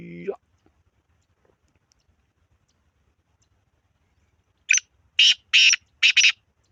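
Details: Black francolin calling: after a long quiet stretch, four harsh, grating, broadband notes come in quick succession near the end, the last two paired closely together. A brief low tonal sound opens the recording.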